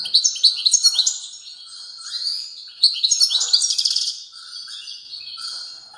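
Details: Loud, continuous strong song of a European goldfinch, rapid liquid twitters interwoven with buzzy, rattling trills over about six seconds.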